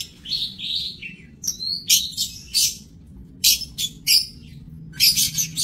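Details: Lovebirds in an aviary breeding cage, 7 June 2024, give high, slightly falling whistled chirps followed by loud, harsh screeching bursts at irregular intervals.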